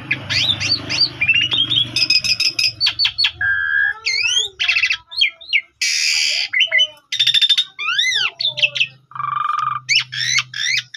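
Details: Asian pied starling lure song for a morning rival: varied looping whistles, harsh rasping bursts and buzzy trills in quick succession, over a steady low hum that fades midway and returns.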